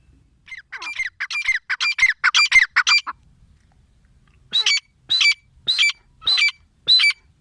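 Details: Grey francolin, female, calling in a fast run of harsh squawky notes, then after a pause a slower series of five spaced, clear, downward-sliding shrieks.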